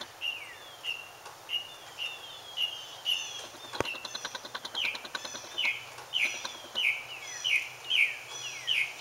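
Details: Mockingbird song given in search of a mate: a steady train of high, downward-sweeping whistles, roughly two per second. A sharp click breaks in midway, over noticeable background hiss and hum.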